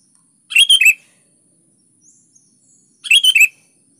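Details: Two bright phrases from a vigorously singing sooty-headed bulbul, each a fast run of three or four liquid notes, spaced roughly two and a half seconds apart.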